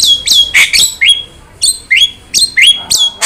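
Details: Javan myna song used to provoke and tutor other birds: loud whistled notes that sweep down and level off, alternating with short harsh rasping bursts, repeated about every half second.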